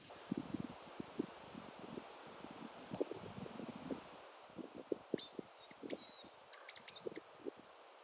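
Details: Male hazel grouse calling from trees in Šumava National Park, Czech Republic, in September, an unusual call: a long thin high whistle drawn out over about two seconds, then after a pause a louder cluster of sharp high whistled notes, over rustling and low thumps.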